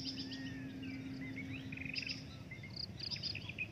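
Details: Breeding adult drongo producing a varied string of whistles, a long gently falling note, twisting chatter and high buzzy bursts, all over a steady low-pitched hum and insect noise.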